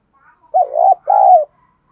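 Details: Spotted dove used as a lure, cooing hard to stir wild males into answering, voice style called đồng pha thổ: a pair of strong, smooth coos, a rising-falling first note and a longer sustained second note.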